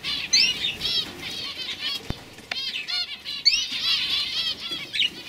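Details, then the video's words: Chorus of young canaries from 2015, bright high trills and quick chirped notes in overlapping phrases, one clear click midway and busy warbling to the end. "Kanarien Vögel (Jung)"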